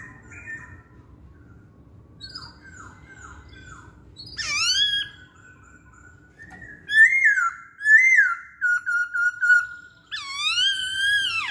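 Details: Masked laughingthrush song meant to coax other birds into singing: soft repeated whistled notes, a loud harmonic call, then a string of clear level whistles and a final rich swooping note, faint hum beneath.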